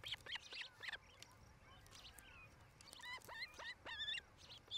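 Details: Osprey couple at their nest in Charlo, Montana, nest cam, July 8, 2018, evening hour: rough chattering notes, then a few clear upslurred whistled chirps over steady broadband noise.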